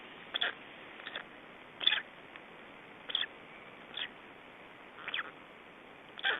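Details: At an Estonian black stork nest on 24 May 2012, mates change over and chicks are fed; single rough, wheezy bursts arrive roughly every second, one louder and fuller than the rest.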